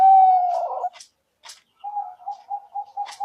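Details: Perkutut lure recording for trapping zebra doves. A long sustained coo fades out, followed by a few sharp clicks, then a soft, faint series of short coos.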